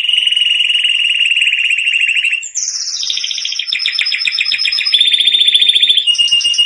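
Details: Canary song for training young canaries: continuous high rolling trills changing pitch in steps, one tour flowing into the next without pause.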